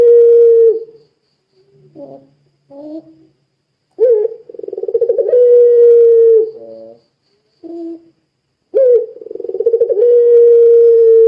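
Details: Vigorous pelung-style cooing of a Barbary dove, meant to set other doves calling; long low sustained coos with rolling pulses, separated by short broken notes and gaps of silence.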